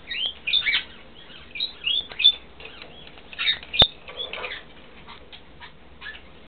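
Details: A closely bonded pair of 3–4-year-old Vosmaeri eclectus parrots trade quick squeaky chirps and short whistled notes in uneven bursts, with one sharp click partway through.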